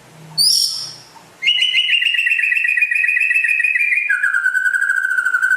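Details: White-rumped shama from West Aceh, described as rare, gives a brief high note, then a long sustained whistle with a fine rapid flutter that abruptly drops to a lower, steady held tone.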